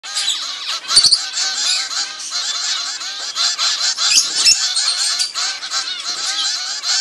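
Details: Zebra finch chicks a few weeks old begging while fed naturally by their mother; continuous dense, nasal, harmonic-rich calls overlapping without pause, with a couple of sharp clicks.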